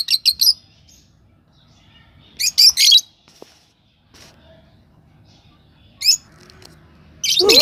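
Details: Lovebird chirps come in short clusters of two or three shrill squeaks, separated by pauses of several seconds, with a louder, harsher burst at the very end.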